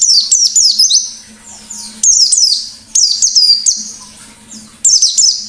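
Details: Lure recording of a white-eye singing ngalas style: loud phrases of shrill, downward-sweeping notes in quick succession, each burst lasting about a second, separated by quieter pauses, with faint low hum.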